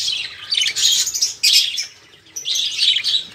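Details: Loud close budgerigar chatter from a flock of caged parakeets meant to coax other songbirds into singing: raspy warbling phrases in two bursts separated by a short quiet gap.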